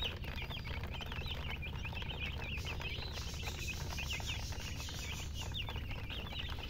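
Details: Baby chicks give an unbroken run of high, curling peeps, many birds overlapping at a fast, uneven rate, over a low droning background.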